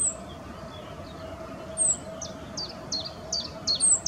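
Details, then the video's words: A rock bunting male with a grasshopper, Moselle valley, Valwig, Germany. A few faint high notes are followed by a rapid series of brief, thin, high calls, mixed with sharper high slurs, against a steady low hum and hiss. "Zippammer. Männchen mit Heuschrecke."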